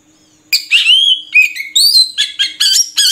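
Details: Lively song of an Oriental magpie-robin: a rapid mix of sweet whistles, downslurred notes and harsh buzzy chips strung together with scarcely a break.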